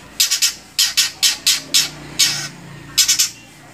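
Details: Long-tailed shrike kept captive in Indonesia giving loud, grating, noisy squawks in pairs and triplets, with a room-like hum behind.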